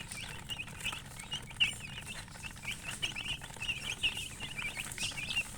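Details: High, quick chicken chirps come in small bursts of two or three peeps, spaced about every half second. A faint low hum runs underneath the calls throughout.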